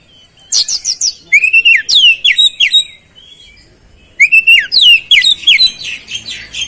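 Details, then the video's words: Chatty oriental magpie-robin singing beset-style, laced with flowerpecker mimicry. Two bursts of rapid, sharp notes, with shrill downslurred whistles repeated about three times a second, separated by a silent gap of roughly a second. "KICAUAN KACER GACOR BESET ISIAN CABE CABEAN"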